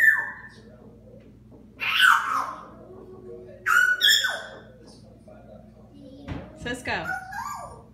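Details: Pet African grey parrot indoors, said to mimic a fart for the ladies: a level whistle opens, then harsh raspy bursts at about two and four seconds, and a falling whistled note near the end, with a person speaking.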